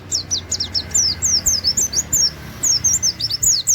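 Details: Oriental white-eye delivering a rapid 'wit wit' song in the canary-like style used as a training master: a quick, steady run of high, thin, downslurred whistles, each note sharp and bright, with faint low background hum.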